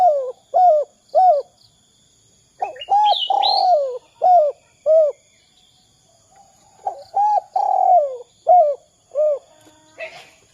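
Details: Spotted dove giving the two-note 'kuk 2' style call, used as a lure to get other doves calling. Low, rounded coos come in quick clusters of three to four, with a pause between groups. Higher thin chirps from another bird sound over them.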